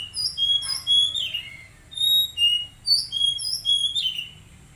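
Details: Untrained caged Oriental magpie-robin singing a rapid string of pure high whistles, short notes grouped in pulsing bursts about every half second, with a clean, quiet background.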